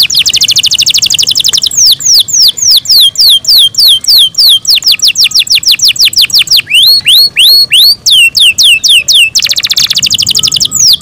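Canary song of fast, high trills and repeated down-slurred whistles, delivered in rolling tours with brief pauses between phrases.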